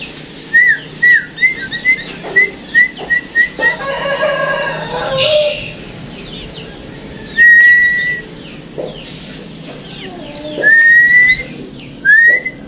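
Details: Tame kept sooty-headed bulbul singing: clear whistled notes, short rising slurs repeated in a quick run, then a pause and a few longer upslurred whistles, with other chirping birds and a brief noisy burst behind.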